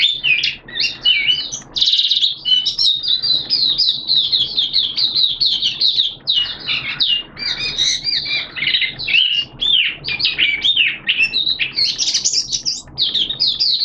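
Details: Caged Oriental white-eye (mata puteh) in long open singing during wet, erratic weather, September 2022: sustained high, busy twittering and scratchy chirps, with tiny gaps and a few rising squeaks.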